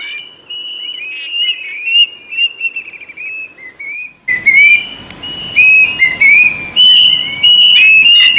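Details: Plaintive cuckoo whistling loudly, descending slurred phrases and repeated rising notes; halfway through the sound turns abruptly louder and harsher, with a broad noisy background.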